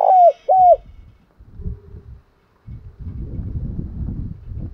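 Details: Morning cooing of a decoy spotted dove used to lure wild doves: two loud, falling, mellow coo notes open the clip, followed by low rumbling background noise.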